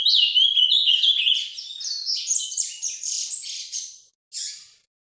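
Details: Ultramarine grosbeak (Cyanoloxia brissonii), song.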